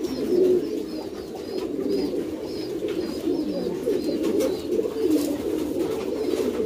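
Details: Pouter pigeons, an ornamental domesticated rock dove breed, cooing in their loft: deep, rolling, blended coos forming a steady low drone, with occasional soft higher chirps and shuffling.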